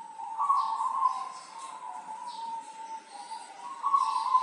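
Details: A local zebra dove from Tulungagung, singing actively and used as a song tutor, coos in a soft, low, rolling trill that holds steady and swells into brighter accented notes, with faint high chirps behind.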